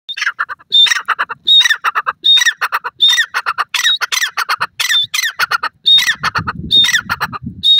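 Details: Chukar partridge (Iranian teetar) giving first-day calls: harsh, squawking bursts, each opening with a thin high whistle, repeated about every three-quarters of a second; a low rumble creeps in near the end.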